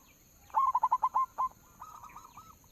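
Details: Local zebra dove used as a lure to prompt singing: one quick run of about six clipped, rolling notes with a longer final note, then fainter murmuring coos.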